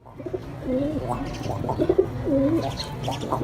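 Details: A pet male pigeon, just paired with a new female, gives deep, rolling coos, several swelling phrases in quick succession, with faint indoor background noise.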